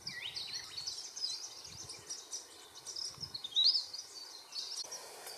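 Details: Varied sittellas raising young, from eggs to fledglings, in Australia's Capertee Valley; soft high twitters with a few short lower downslurred notes, one sharp bright note midway, and faint low rustles.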